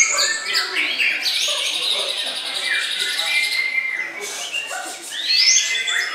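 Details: Singing white-rumped shama giving a busy stream of high whistles, chips and upward-sweeping notes. Some phrases are clear and ringing, others harsh, with a short pause near the end.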